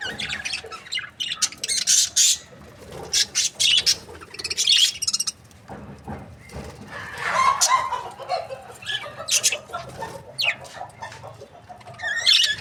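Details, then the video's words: Budgerigar breeding pairs call in intermittent bursts of high chirps and squawky warbles separated by short quieter stretches. "Amazing budgie chirping sound | breeding pairs"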